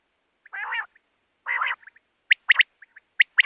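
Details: Quail producing two harsh, buzzy, nasal notes, each about a third of a second long, followed by sharp high whistled notes in a quick triple pattern.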